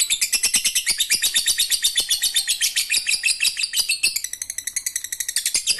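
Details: Lovebird singing in the ngekek receh style, played to coax quiet lovebirds into singing: a long, fast, shrill chattering trill of rapidly repeated high notes, steady and unbroken, easing slightly in intensity toward the end.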